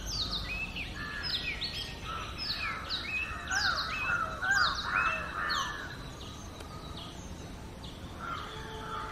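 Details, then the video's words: Natural song of an Oriental magpie-robin, one of seven varied sweet melodies: a busy cluster of quick downslurred whistles and warbles that fades to a few scattered notes near the end, over faint background hiss. "Magpie Robin Singing 🎶 7-Different Sweet Melodies of Magpie Robin 🐦Oriantal Magpie Robin calls"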